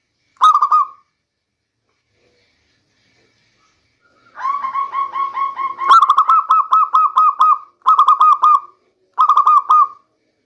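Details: Local zebra dove singing as a rainy-season lure: a short phrase, a long gap, then extended rapid series of bouncing coos in quick succession, broken into several bursts with brief pauses, quiet background.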